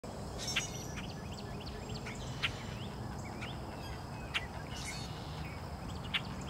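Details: Recently hatched great blue heron chicks, dated March 6, calling often, perhaps to draw the parent at feeding time: faint, short rising chirps around mid-high pitch, repeated irregularly every second or so over steady low background noise.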